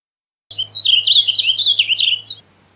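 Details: A Blue grosbeak gives a dense, burry warble of run-together notes lasting about two seconds over a steady low hum.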